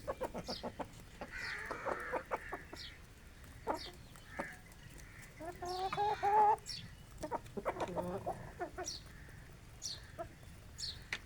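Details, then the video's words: Aseel rooster and hens feeding on grain on a village morning, clucking in quick irregular runs with a drawn-out harmonic call midway, while other birds chirp in the background. "Aseel Rooster & Hens Morning Feeding || Natural Sounds of Village Life"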